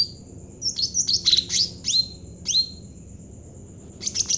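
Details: Cucak ranting jawa, a bulbul singing briskly and used to lure training birds, gives a dense burst of squeaky high chirps, then two slurred falling whistles and a final chattering flurry, with a continuous faint high hum.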